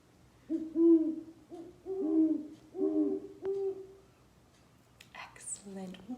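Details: A pair of great horned owls on Vancouver Island calling back and forth with deep, soft hoots, a run of five low notes in about four seconds, followed by a brief higher scratchy sound.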